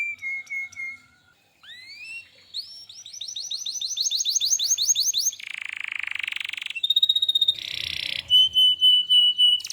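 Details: Canary singing hard: a repeated level whistle, then upward-sweeping notes that speed into a rapid rising trill, a broad buzzing tour, a high thin whistle, and loud pulsed whistles to close.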